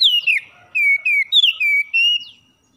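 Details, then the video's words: Morning song of an oriental magpie-robin, used as a master recording to stimulate caged birds to sing: bright slurred whistles, several dropping in pitch, one long level whistle, with short pauses between phrases. "MASTERAN KACER JUARA DI PAGI HARI || Merangsang Kacer Malas Jadi Buka Paruh"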